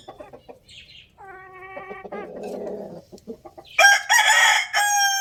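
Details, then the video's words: Rooster crowing loudly. Clucks and a nasal, buzzy call come first, then a loud, bright crow in two drawn-out parts closes the recording. "Rooster Crowing Loudly"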